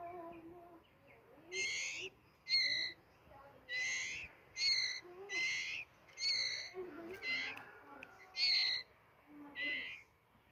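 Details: White-rumped shama singing loud, clear phrases of bright, ringing notes. The phrases come in short bursts of about half a second, repeated roughly every second with brief pauses. Faint low tones sit underneath.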